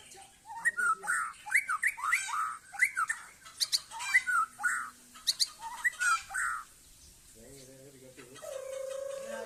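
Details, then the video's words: Murai Aceh, a white-rumped shama, in sail-like display in a yard: harsh, squawky notes delivered in quick bursts, a pause, then a lower steady droning tone at the end. "Murai Aceh"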